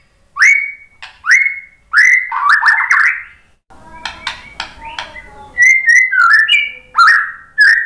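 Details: White-rumped shama in full song as a lure for other songbirds: strong upward-swept whistles, a brief rough chattering passage midway, then varied flutey phrases that climb and fall.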